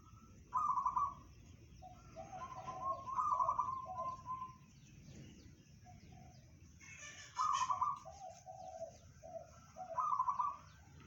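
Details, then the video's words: Local zebra dove singing in the bedah karang style: several bursts of fast, rattling, trilled cooing, each followed by lower, softer, mellow coo notes, repeating every few seconds over a faint background hum. "perkutut lokal suara bedah karang tembus 500meter"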